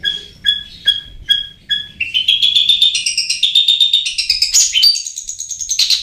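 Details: Long-tailed shrike lure song meant to prompt sluggish birds into singing: five spaced clear whistled double notes, then a rapid, rising jumble of sharp chirps and whistles climbing higher toward the end.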